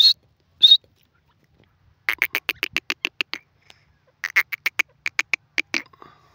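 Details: Two sharp, high whistled notes open, then a female grey francolin (teetar) gives two quick series of clipped, ticking notes, each run about ten notes long, separated by a short pause.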